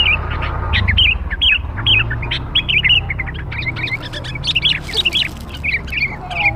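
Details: Sooty-headed bulbul sound played as a lure for young birds: a steady run of short, bright, twisting chirps, with brief pauses between bursts and a low rumble behind.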